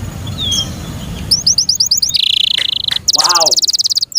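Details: Caged canary kept by its owner, singing a loud varied phrase: a thin rising whistle, a run of rapid descending chirps, a buzzy sustained trill, then fast rolling notes with a lower downward-bending note.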